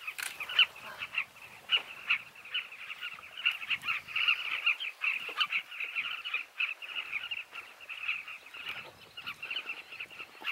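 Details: Dense chorus of many nesting Carmine Bee-eaters at a Zambezi River canyon colony, heard from drifting canoes: overlapping rolling, throaty chirps in continuous mid-pitched chatter, occasional louder notes rising above the din.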